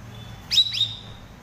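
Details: Cucak rawis, used as a master song for training cage birds: a single quick pair of high sharp falling chirps ending in thin level whistles, in quiet surroundings.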